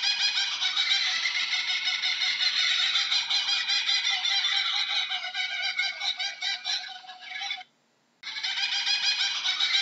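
A kookaburra gives a loud, harsh cackling laugh of rapid chuckles that swells and fades in waves, with a brief silent break near the end.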